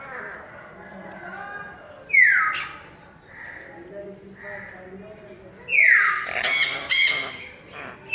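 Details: A pet baby sun conure gives harsh, raspy squawks that sweep downward, loud bursts over a quiet room.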